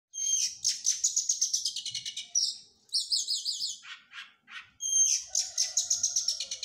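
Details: Oriental magpie-robin in training after moulting, delivering a fast, varied song: rapid repeated high chirps, a run of buzzy rising-falling notes, short pauses, then loud trilled phrases with a faint lower whistle beneath.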